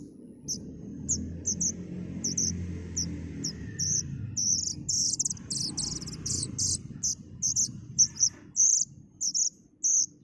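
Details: Plaintive cuckoo chick: sparse, high, thin chirps at first, then a dense run of harsh rasping notes, then more spaced chirps, over a low murmur of background noise.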